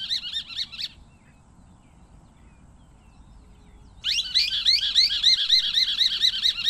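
Scimitar-billed woodcreeper singing a fast run of loud, wavering, ringing notes, about four a second, in two bursts separated by a pause, over a low background rumble.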